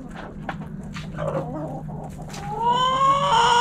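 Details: Backyard chickens: soft scattered clucks, then a rooster's crow builds from about two and a half seconds, loud and harmonic to the end, over a low hum.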